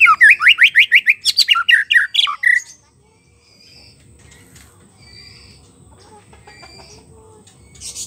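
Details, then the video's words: White-rumped shama in the wild, its song serving as a lure for a caged bird that stopped singing: a rapid series of about ten rising whistled notes, then harsh squeaky notes, then faint distant chirps. "PANCINGAN MURAI BATU MACET BUNYI PANCING DGN SUARA MURAI BATU ASLI SUARA BURUNG HUTAN"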